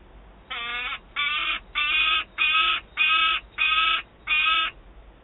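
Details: Young peregrine falcon in Wałbrzych, Poland, 27 August 2022, screaming after feeding while an adult carries prey: seven loud, grating, nasal screams in a regular series roughly every two-thirds of a second.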